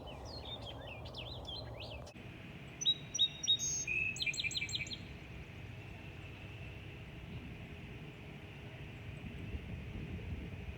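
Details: Wood thrush singing in May 2020 at Aullwood during a spring birding walk, a bird able to voice several notes at once like a chord; a rapid run of clear, flute-like notes with overlapping tones, after brief chirps from another bird, over a steady outdoor hum.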